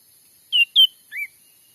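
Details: Cucak ranting (grey-bellied bulbul) lure sound for trapping wild birds, taken in Sumatran forest during daytime trapping. Two loud, quick whistled notes are followed by a lower, softer rising-falling note, a three-part phrase over less than a second.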